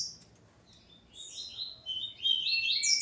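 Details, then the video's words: Male Double-collared Seedeater singing with his female. The song starts quietly, then a run of high, buzzy, whistled phrases builds in loudness and pitch, ending in bright sliding notes. "Coleiro Ponto 50 e sua Fêmea Calibre 40"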